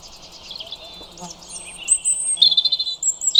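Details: European robin song, soft distant twittering at first, then louder high, thin warbles and quick trills building over the last second and a half.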